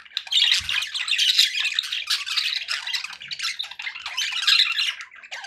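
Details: Pet budgies in a cheerful mood produce a steady stream of buzzy warbling and chirps, rising and falling in loudness.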